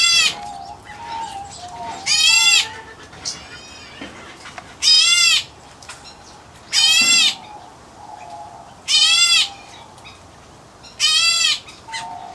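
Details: White-headed Black Bulbul chick in an aviary, an Indian-area subspecies, repeating loud harsh rasping calls about every two seconds, with soft whistles between them.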